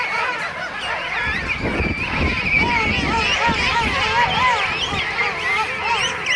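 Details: Thousands of King penguins in a huge colony at Right Whale Bay, South Georgia, on Christmas morning 2008: many overlapping trumpeting, warbling calls that rise and fall without pause, over a low rumble of wind.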